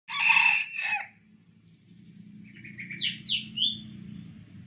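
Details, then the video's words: Caged red junglefowl, an original wild-type bird, being trained to crow in a hanging cage: one loud, harsh, broad crow burst in the first second, then quiet, followed by fainter high chirping from other birds. "cara melatih ayam hutan original berkokok di sangkar layang"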